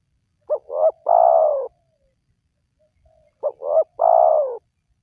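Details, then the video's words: Spotted dove call used to lure wild doves into calling: two phrases about three seconds apart, each two short clipped coos followed by a long, husky, slightly falling coo, with silence between. "Jitu 100% Pemancing Burung Tekukur Yang Malas Bunyi,Langsung Rajin Bunyi"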